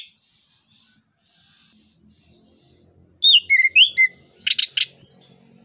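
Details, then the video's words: Orange-headed thrush singing 'ngeplong nembak' as a lure for other birds: after a quiet start, a rapid sequence of rising whistled slurs, then a dense burst of quick chips and one high falling note. "ANIS KEMBANG NGEPLONG NEMBAK BUAT PANCINGAN"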